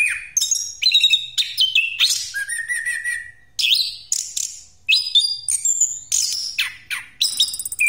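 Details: Orange-headed thrush of the Pastol type in full rolling song used as a lure: continuous bursts of high chatter, mimic-like squeaks and sliding whistles, including a long steady whistled note.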